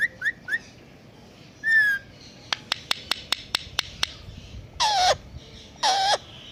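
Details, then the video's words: Indian ringneck pet parrot mimicking a cat: quick rising chirps, a buzzy drawn call, a row of evenly spaced clicks, then two harsh, noisy screeching cries. "Talking Ringneck Pet Parrot😘||बात कर रहा तोता🐱Cat Voice"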